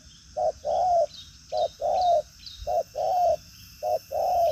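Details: Strong-cooing 'đồng pha chân cua' spotted dove, lively in manner, delivering 'thúc gù có lèo' coos: four evenly spaced pairs, each a brief low note followed by a longer, slightly falling hollow coo.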